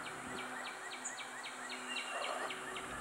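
Wood Thrush song: a quick series of bright, fluty notes, about four or five per second, over a steady background hiss and faint hum.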